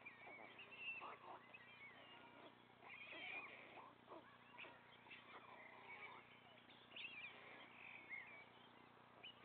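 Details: Three white stork chicks at the nest as their father feeds them; thin, cat-like mewing and whining calls come in irregular bursts over a steady electrical hum.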